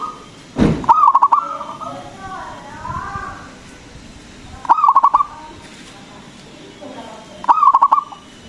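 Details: Local zebra dove with a loud, powerful song, used as a lure for other doves. Three short rolling phrases of rapid pulsed coos come about every three seconds, with faint softer calls between them.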